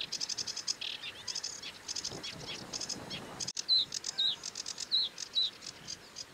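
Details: Sedge warbler chattering in scratchy rattles, then after a brief gap switching to clear, sharp, slightly falling notes spaced about half a second apart, mixed with short buzzes.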